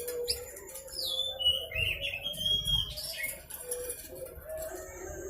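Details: Young Blue-crowned hanging parrot singing; the recording serves as a master track to prompt other birds to sing. High, thin whistled notes slide and waver in quick, irregular bursts over a steady low hum.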